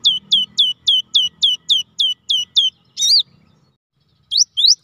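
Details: Rolling song of a cinereous tit, meant to spur quiet birds into singing: around ten quick hooked whistles in a row, one louder slurred note, a pause, then the series restarting, with faint low hum.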